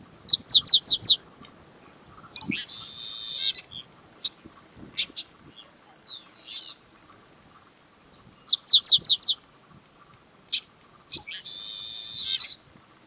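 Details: Yellow-winged blackbird song: rapid bursts of sharp ticking notes alternate with dense, buzzy rattling trills, repeated twice over a quiet background with a faint constant high-pitched hiss.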